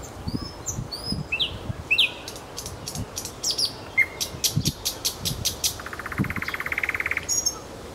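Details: Nightingale singing in Kuzminsky forest park, mixing rising whistles with long runs of evenly repeated sharp notes and a fast rattling trill near the end, over low rumbling background noise.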